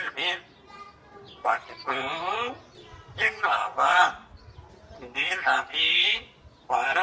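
A grey parrot talks in short bursts of word-like phrases, some squeaky and some husky, separated by pauses of about a second, with one brief clear whistle.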